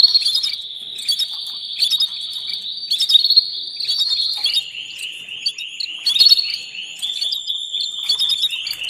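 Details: Continuous high, rolling trill with bursts of sharp chirps about every second, from a canary as a female calls the male for mating.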